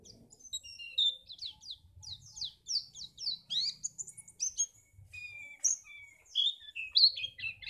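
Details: White-eye singing, a recording meant to spur other birds to sing for contests: rapid, high twittered notes and sweeping chirps running together, with a few clearer whistled phrases near the end and faint low background rumble.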